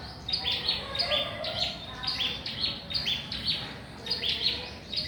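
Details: Small bird calling loudly from a mango tree, repeating sharp, high chirps in quick pairs and triplets roughly twice a second against a hissing background.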